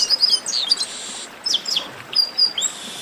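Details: Warm-up esquenta singing by the chestnut-capped blackbird, or garibaldi: short high whistles, a buzzy smear and a few down-slurred chirps spaced through the phrase.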